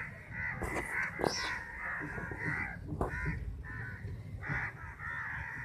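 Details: Crows fighting over chapati in a big crowd, a chorus of raspy, drawn-out caws overlapping continuously, with occasional sharp knocks and wingbeat noise.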